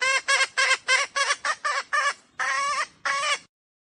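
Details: Decoy hen call used to lure wild roosters for trapping: a rapid series of harsh, nasal, harmonic-rich clucks, about ten in three and a half seconds, the last two longer and drawn out.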